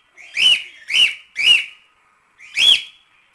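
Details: Loud rising screech calls from a cockatiel, from a recording for teaching the bird to sing: three harsh shrieks in quick succession, a pause, then a fourth.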